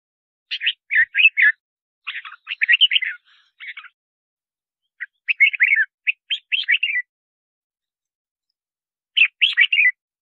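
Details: Lure song of a red-whiskered bulbul for calling in wild birds and voice training: lively clusters of sweet, slurred whistles in rapid runs, a pause, then one more chirpy phrase.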